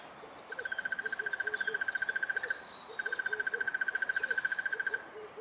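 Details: South African crested barbet giving two long, even trills of rapid mid-pitched pulses, each about two seconds, with faint low repeated calls in the background.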